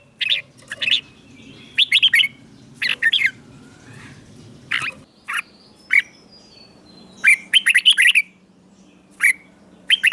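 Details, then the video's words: Red-whiskered bulbul song from Thailand, a southern-style phrase played to stimulate caged birds and teach young birds; short bright chattering bursts of notes repeated in clusters with pauses, over a low steady background hum. "เสียงนกกรงหัวจุก สำหรับต่อ หรือ เปิดให้นกคึก เสียงเพราะๆ"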